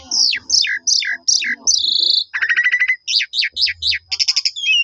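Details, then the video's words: Asian pied starling song used as bait for other starlings: four falling whistled notes, a steady high tone, a fast buzzy rattle, then quick repeated chirps. "JITU Memancing Jalak Suren Lain Langsung Bongkar Isian Nyaut Suara Panjang"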